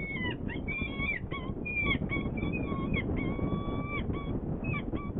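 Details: A saker falcon at a nest in Hungary on 18 April 2020, during feeding, the female having brought prey while the male is away: harsh, nasal repeated calls in quick bursts, one longer drawn-out wail midway, over low wind rumble.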